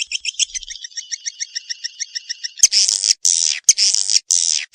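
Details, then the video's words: Swiftlet lure call: a fast run of thin, high chirps, about eight a second, then loud, harsh buzzing rasps in long bursts. "Suara Panggil Walet"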